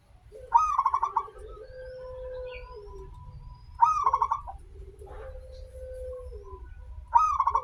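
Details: Local zebra dove, a lively singer with a long opening phrase, played as a lure to get other zebra doves singing. The phrase repeats about every three seconds: a bubbly rolling burst followed by a long, steady, low coo, over a faint low rumble.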